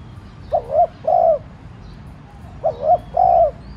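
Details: Decoy spotted dove urging wild doves with gentle cooing; two matching phrases, each a wavering short double note followed by a long smooth low hoot, separated by a pause.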